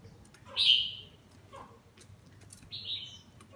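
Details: Caged red-whiskered bulbul singing as it bathes: two clear whistled phrases, the first loud and slightly falling, the second softer and level, with light water and cage clicks in the background.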